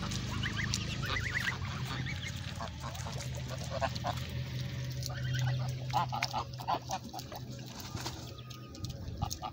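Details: Farm geese honking in short nasal bursts, scattered and irregular, over a steady low engine-like hum.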